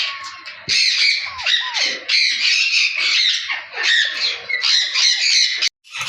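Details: Pahari parrot, or Alexandrine parakeet, calling with harsh, grating squawks in quick runs, mixed with a few short, clear whistles that slide downward; a brief dropout near the end.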